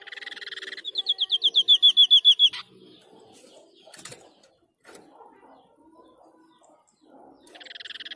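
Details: White-breasted babbler of Indonesia in full song: a buzzy burst, then a quick run of about fourteen high, clear notes that swell in strength and end in a sharp click, a quiet stretch with faint clicks, and another buzzy burst.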